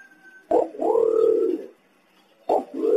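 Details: Call of a green imperial pigeon, meant as a lure to bring birds in: a brief sharp onset, then a long low resonant hum lasting about a second, followed after a pause by another call beginning.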